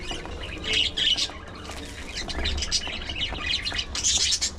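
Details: Pet budgerigars feeding on seeds and fresh vegetables, giving bursts of high, scratchy chirps and squawks in short clusters, with soft pecking and munching clicks throughout and a low background hum.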